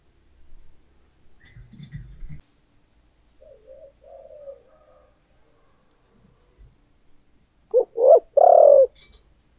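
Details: Decoy spotted dove in thổ voice. After soft rustling and faint low coos, loud clipped hoots close the stretch.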